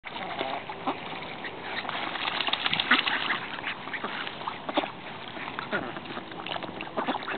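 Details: Ducks at a pond, a flock giving overlapping nasal quacks and chatter throughout, busiest in the middle, with no other clear sounds.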